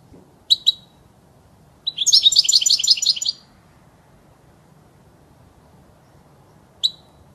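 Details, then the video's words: European goldfinch, an error-free recording meant for tutoring young goldfinches; a pair of high chirps, then a dense twittering trill of rapid, jangling notes lasting over a second, then one more lone chirp. "صوت الحسون الاصلي خالي من الاخطاء لتسميع الحسون وتعليم الفراخ"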